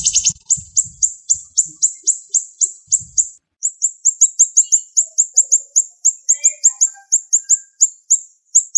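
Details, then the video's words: Siri-siri bird delivering rapid, sharp, high-pitched chirps in dense bursts, each note slightly downslurred, with a brief pause before the fast series resumes; faint low rumbling at the start. "Masteran Burung Siri Siri Tembakan Tajam Speed Rapat"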